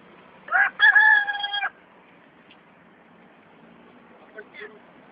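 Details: Russian rooster crowing once: a brief clipped opening note, then a sustained, steady, richly harmonic crow lasting about a second, followed by near quiet with faint low background rumble and a few soft distant calls.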